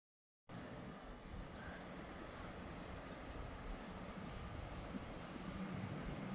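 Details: After a brief silence, steady low wind rumble and broadband outdoor noise continue throughout, with no clear animal calls.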